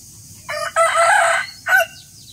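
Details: Rooster in the morning giving a clear, segmented cock-a-doodle-doo: a brief first syllable, a long loud middle note, and a short final note after a pause.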